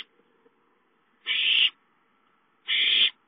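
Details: Owlet begging for food at home, 5-9-13: two long, rasping hiss-screeches, each close to half a second, about 1.4 seconds apart, with faint ticks before the first.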